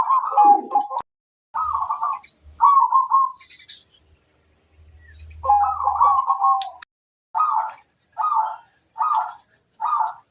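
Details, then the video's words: Local zebra dove master song: rolling, trilled cooing phrases in bursts separated by pauses, then four short evenly spaced trilled notes at the end, with a brief low hum midway. "Suara sang masteran burung perkutut - master perkutut"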